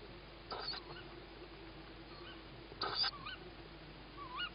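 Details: Young tawny owl at dusk on 21 May 2017, calling as it hears its mother before feeding; two brief rasping hisses roughly two seconds apart, with thin whistled notes of another bird in the background.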